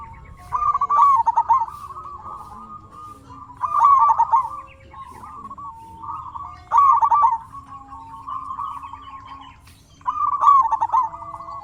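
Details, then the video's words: Local zebra dove singing, used to prompt other doves to answer: soft rolling coos near one pitch, a burst of quick stuttering notes then a level purr, repeated about every three seconds, several overlapping birds. "Suara burung perkutut sangat istimewa 100% auto nyaut"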